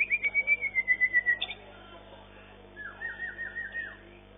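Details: Competition-winning white-rumped shama from the long-tail MB class, session 9: a long pulsing whistle that slowly falls in pitch, then after a pause a rapid wavering trill of repeated looping notes, over a faint steady hum.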